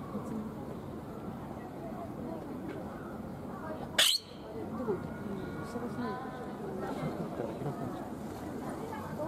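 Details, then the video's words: Palawan peacock-pheasant at Ueno Zoo in Tokyo, Japan, giving one sudden, loud, grating shriek midway through, surrounded by continuous visitor voices and soft bird twitters. "【singing】Palawan Peacock Pheasant"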